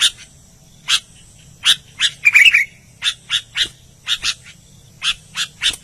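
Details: Albino sooty-headed bulbul singing energetically: bright, short chirpy notes in quick irregular bursts, some clustered into a rapid trill near the middle, over a low steady hum.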